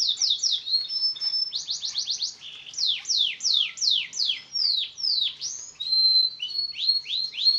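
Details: Singing canary meant to stimulate silent birds, delivering quick runs of steeply falling sweeping notes in rhythmic bursts, with brief held whistles between phrases and a clean high ending.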